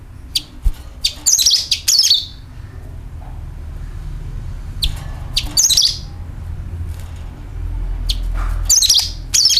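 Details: Sooty-headed bulbul calling and rattling, a sound used as a lure to attract birds: short bright chirp bursts with sharp high notes, given in clusters of two or three every few seconds over a low background rumble.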